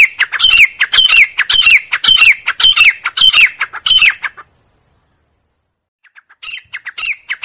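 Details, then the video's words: Grey francolin (teetar) calling in a loud steady series of harsh, ringing phrases, each ending in a slurred whistle, about two a second for four seconds, then silence and a quieter renewed run. "Grey Francolin Sound | Francolin Calling | Grey Francolin Voice | Teetar ki Awaz"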